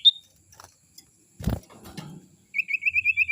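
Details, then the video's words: Call of a young forest sirtu, used to attract wild birds: after a thin high note and a thump, a fast series of about seven even, looping whistled notes. "suara sirtu muda hutan ini suara ampuh pancingan"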